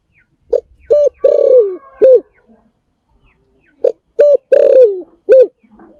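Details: Two cooing phrases from a spotted dove, roughly three seconds apart. Each has a short note, a flat held note, a long downward-sliding note and a short ending note.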